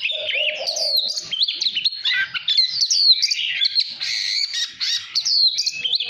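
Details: Oriental magpie-robin in a cage, singing to rouse others: opens with a low mellow warble, then a rush of high, sharply inflected whistles and chattery trills, loud and unbroken.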